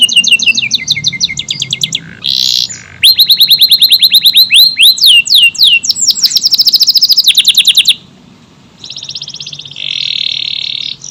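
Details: AF canary in vigorous song, long tight bursts: fast high trills and repeated downslurred notes, a harsh buzzy phrase, then a rapid sweeping series and a steady high buzzy trill near the end.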